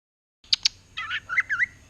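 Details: Greater green leafbird singing energetically in the ngerotek chattering style while looking at itself in a mirror: two sharp high clicks, then a rapid run of rough, warbling, twisting phrases, over a quiet steady hum.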